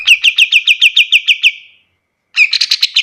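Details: White-shouldered triller song kept as a tutor recording for other birds: a fast, regular series of about ten sharp descending chirps, a pause, then a denser, buzzier burst of chirps.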